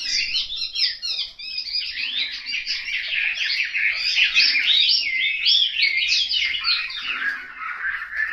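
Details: Caged Chinese hwamei from a Hanoi home pouring out dense, melodious song: fast, varied whistles, trills and slurred notes run together without a break, with a soft low murmur beneath.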